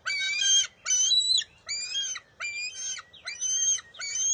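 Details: Bald eagle eaglet at its nest on June 23, 2021, refusing to share a fish its mother grabs, then stealing it back: six harsh, shrill, harmonic screeches in a row, each about half a second, separated by short gaps.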